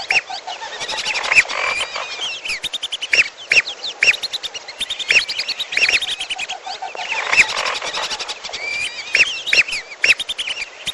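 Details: Lesser whistling duck calls used as a trapping lure, mixed with piolo calls: dense overlapping whistled, arched notes from many birds, with sharp bright peaks roughly every second or two and constant chattering.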